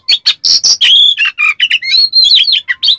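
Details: Oriental magpie-robin, a kacer, singing a dense mimicking song with coarse 'besetan kasar' fill, played as a lure to rouse silent birds: rapid varied chirps, whistled notes and harsh buzzy bursts packed tightly together.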